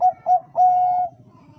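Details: Zebra dove of the Bangkok type: two short clipped coos, then one long, steady, level coo, followed by quiet low rumbling background.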